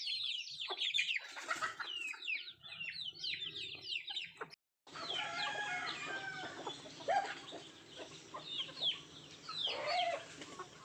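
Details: Native chickens eating food: many high, thin peeps and chirps overlap in quick bursts, with a short silent gap midway before the peeping resumes among soft background rustling.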